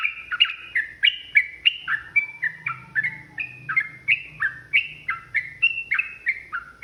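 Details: Provoked yellow-vented bulbul in emotional fighting song: loud, bubbling whistled notes that swing up and down in quick succession, about three each second, over a faint low rumble in the middle.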